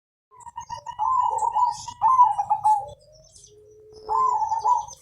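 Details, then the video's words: Perkutut (zebra dove) of the Mojopahit colour type, a long, melodious singer used to prompt other birds to sing: rapid, stuttering coo phrases in two bursts with a pause, then a third, plus faint high chirps in the background. "Perkutut Gacor Panjang Suara Merdu Warna Mojopahit Untuk Pancingan"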